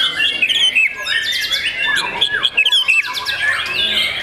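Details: Young kept white-rumped shama, shown as a special young bird, sings a rich, fast high warble of whistled slides and sharp chirps, notes sweeping up and down without pause.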